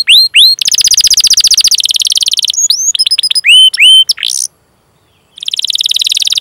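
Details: Training song of a canary, meant to coax young, untrained or stalled birds into singing: rapid rolling trills, clipped rising chirps and a brief buzzy burst, then a pause of about a second before another fast high trill begins.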